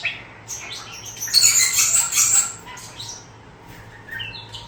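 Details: Young pet starling, four months old, copying new words and sounds learned from an older male starling: a jumble of high, hissy chatter and squeaky whistles, loudest in the middle.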